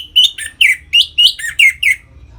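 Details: Orange-headed thrush, caged, delivering ngeplong song to excite other captive birds toward breeding: about eight clear whistled notes in quick succession, each sliding up or down, evenly spaced over two seconds.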